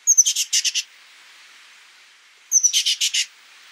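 An oak titmouse gives two bursts about two and a half seconds apart, each a thin high note followed by five or six fast, harsh, buzzy notes.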